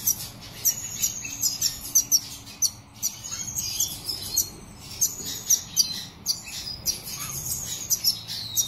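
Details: Black siskin in captivity singing a bright, high warble of sharp chirps and thin whistled notes, roughly two notes a second with rapid twittered runs between.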